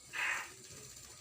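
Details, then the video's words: Common hill myna freshly captured and not yet speaking, 6 December 2022, giving a single short, rasping screech that fades quickly into soft background hum. "burung beo baru di tangkap belum bicara"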